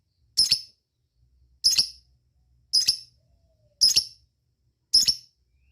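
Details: Lovebird calling to companions: sharp, high, harsh chirps given singly, five of them spaced roughly a second apart, each a short double-pulsed note over a quiet background.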